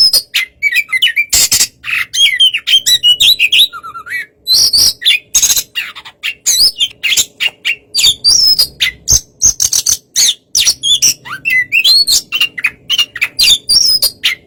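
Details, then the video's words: Oriental magpie-robin singing in a relaxed style to provoke an unresponsive rival into answering: a dense stream of varied whistles, harsh chips and rapid trills, almost without pause. "suara kacer santai memancing kacer yg kurang emosi"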